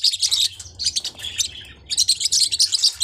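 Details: Small hook-billed Forpus parrotlets give high, scratchy chirps in two busy bursts split by a softer lull, over a quiet low hum.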